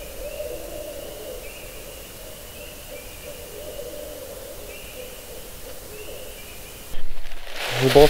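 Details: Barred owl calling at night near a woodland camp in spring; low hooting notes come in several drawn-out bouts over a quiet, steady background hiss, ending in a sudden loud rustle close by.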